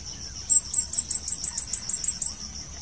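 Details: Shrill call series of a Blue-crowned hanging parrot being lured for capture: about ten very high, sharp notes repeated rapidly and evenly over a steady hiss of background noise.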